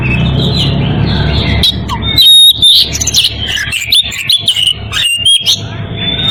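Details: Oriental magpie-robin in breeding condition calling a rival: after a low rumbling start, loud clear whistled notes, sharp rising and falling slurs and chattering bursts at high pitch follow in rapid, varied succession.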